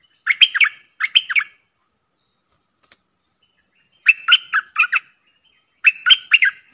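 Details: Streak-eared bulbuls, a pair in a heated song duel on 30 October 2021, giving short clusters of three or four liquid chirps, two quick bursts followed by a longer silence and two more phrases.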